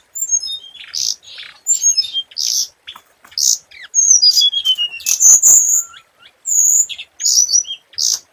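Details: Scarlet minivet lure song: shrill chirps, clipped whistles and a long falling whistled slur, with one lower short note, in close irregular bursts.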